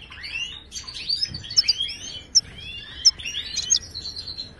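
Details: Song of a Moroccan goldfinch, offered as a tutor for a quiet caged goldfinch: scattered bright chirps and rising slurred whistles about every second, with a few sharp high accents.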